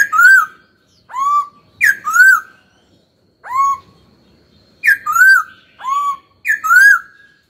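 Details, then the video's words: Young pet laughingthrush in training, whistling rich upslurred and downslurred notes, often two or three close together, separated by pauses of about a second; a quiet room behind. "Khướu hót cực hay, kích bổi hót ngay"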